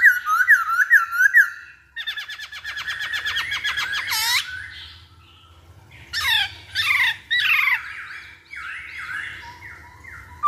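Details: Lure song of a masked laughingthrush: quick whistled notes lead into a fast rattling harmonic trill, followed by loud harsh squawks and softer wavering whistles.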